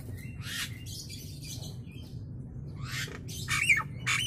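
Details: Nias hill myna's natural voice, used as a training recording: broad, raspy screeches in short bursts, a cluster early and another late, with a constant low rumble behind.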